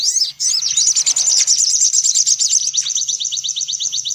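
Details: Sunbirds, an excited 'ribut' sogok ontong lure recording used to draw sunbirds in: dense high chirping and twittering, then a steady series of quick downslurred notes repeated about three per second.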